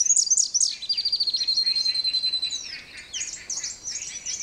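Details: Splendid fairywren singing in the very early morning near Cape Naturaliste: a high, rapid reeling song of sharp opening notes, a long fast trill, then jumbled high chips and twitters.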